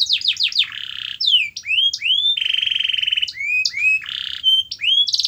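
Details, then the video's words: Canary song aimed at encouraging a reluctant canary to sing: quick falling notes, rising swoops, a long rattling buzzy trill and more arched whistles, varied and continuous, with faint low hum underneath. "Kenari Anda MALAS BUNYI, Coba Putar Video Ini !!!"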